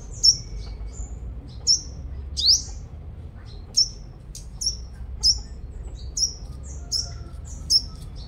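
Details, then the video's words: In Long Thành, Đồng Nai, Vietnam, a five-colored sunbird kept as a lure sings penetrating high-pitched slurred notes spaced about a second apart, one swooping upward, with quiet rumbling background. "Chim Hút Mật 5 Màu Mồi Siêu Hót"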